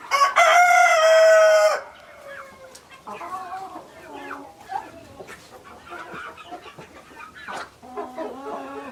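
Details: Rooster crowing: a loud, drawn-out, harmonic-rich crow lasting nearly two seconds, followed by scattered softer clucks and short calls from other chickens.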